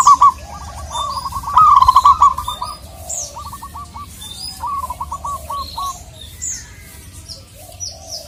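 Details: Local zebra dove in Indonesia calling a rival: short bursts of rapid cooing notes in several separate phrases, amid scattered high chirps from other birds.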